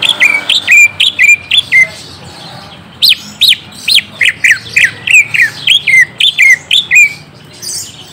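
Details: Greater green leafbird song used as a lure for a young bird: two bursts of rapid, sharp, downslurred chirps repeated steadily, separated by a brief pause, with faint room hiss.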